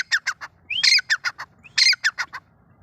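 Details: Grey francolins, male and female: loud, harsh, squawking notes in two quick bursts, each opening with a rising slur and followed by clipped repeated notes about six per second.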